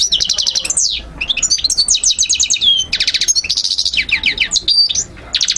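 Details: European goldfinch training song for young birds to memorise: fast repeated ticking trills and buzzy rattles alternate with bright slurred twitters in near-continuous high phrases, with one short break near the end.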